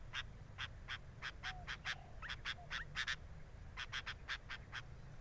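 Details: Sooty-headed bulbul at its nest, recorded by a camera placed at the nest. Short, harsh, buzzy notes repeat irregularly in bursts, with a few faint low whistles between them and a steady low hum underneath.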